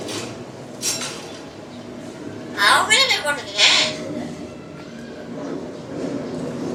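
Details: Myna in Malaysia speaking Tamil words: a burst of harsh, raspy, voice-like syllables, several quick wavering notes followed by a louder drawn syllable, set against faint room hum and softer chatter.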